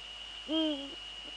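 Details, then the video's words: Male Eurasian eagle-owl in the Netherlands, 6 February 2013 at 17:30, giving a single deep hoot that rises slightly then falls away, followed by a faint softer note; a steady high electronic whine runs throughout. "eagle owls NL 2013-02-06 17:30 male"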